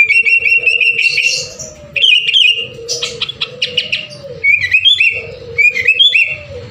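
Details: Energetic sooty-headed bulbul song meant to spur other birds into singing: clear whistled notes alternating with quick, sharp chirping bursts, broken by short pauses, with a constant low tone underneath.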